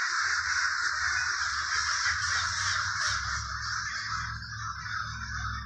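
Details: In Trenton, New Jersey's Villa Park neighborhood, a large group of crows keeps up a loud, even roar of overlapping caws, while a low hum grows in the second half.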